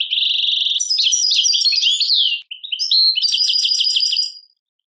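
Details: European goldfinch from Algeria singing in the Tadmait style: a dense, rapid twittering run of high tinkling notes and buzzy trills, a brief pause, then a second bright, stuttering phrase of repeated chirps.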